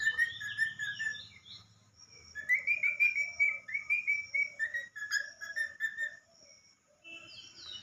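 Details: Pet talking parrot singing a whistled tune: clear, slightly wavering phrases that step up and down, with a brief pause before a long string of rapid linked notes, then quieter fragments at the end.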